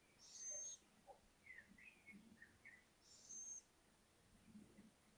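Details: Young little owls, five owlets venturing out onto a balcony to explore: high thin hissing whistles near the top of the range, paired with lower short chirping squeaks, repeated twice about three seconds apart.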